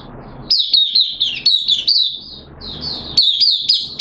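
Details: Caged oriental white-eye singing on 13 September 2022, its second day of a monthly deworming treatment. The song is a high, rapid twittering of slurred, warbling notes in bursts, with a brief pause before it resumes.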